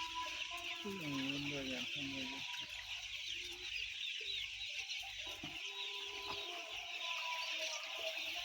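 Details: Roughly 10000 white chicks peep in a constant high chorus, while a lower, wavering series of calls sounds near the start.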